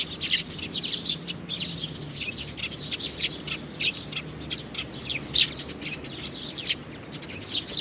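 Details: Sparrow chick, June 2019, calling with rapid thin high chirps throughout, two louder sharp notes standing out near the start and toward the end.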